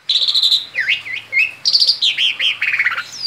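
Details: Asian pied starling, a male perched outside its cage, delivering ngerol song: a long steady whistle, then looping slurred notes, a bright high trill and buzzy descending chirps run together in a rapid varied stream.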